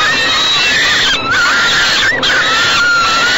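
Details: Falcon nestlings being fed in a nest box by their mother, Great Spirit Bluff, 28 May 2013, early evening; loud rasping cries running together, with two brief gaps and a sustained, level wail.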